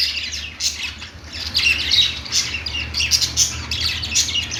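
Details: Perched budgies give harsh, high squawks mixed with quick chirps in an uneven, continuous string, backed by a constant low-pitched hum.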